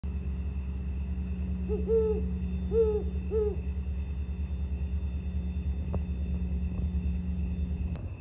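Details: Great horned owls at Sierra Madre, California, on 13 October 2023: three deep, soft hoots about a second apart, under a steady low hum of traffic and a faint high electronic whine.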